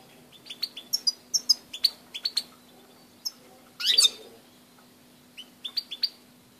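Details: European goldfinch at Grahovljak, 2 March 2016, giving scattered high, sharp chirps and twittering notes in loose clusters, with one brief harsh burst midway and a quiet background hiss and hum.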